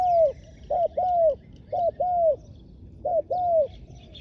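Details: Decoy spotted dove calling wild doves in ground trapping: three regular phrases, each a clipped low note straight into a longer, slightly falling coo, repeated about once a second over quiet rural background.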